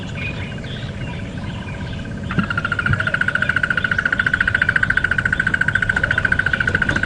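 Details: Crested barbet (Trachyphonus vaillantii) at Djuma Game Reserve on a morning safari drive, 15 October, near resting lions, gives a long, even ringing trill of rapid mid-pitched notes like an alarm clock, over vehicle engine rumble.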